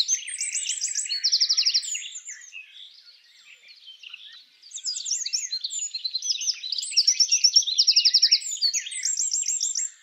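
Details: Eurasian wren (Troglodytes troglodytes) singing a mating song in spring forest: a loud, high, trill-laden phrase, a quieter pause with faint twittering, then a second energetic burst of rapid rattles and sharp whistles.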